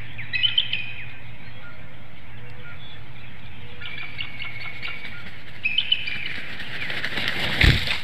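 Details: Female bald eagle on a webcam-watched nest in Hanover, Pennsylvania, calling at dawn on 4 April 2019 for her mate to relieve her: short high chittering bursts at the start and near six seconds, then loud wingbeats as she leaves.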